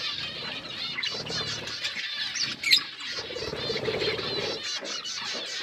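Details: Feeding budgerigars keep up a constant, even chatter of buzzy, rasping notes, with one brief sharp squeak standing out in the middle.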